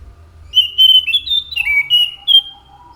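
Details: Orange-headed thrush singing loudly: a run of clear whistled notes, some sliding down, others held flat, with a steady low hum underneath.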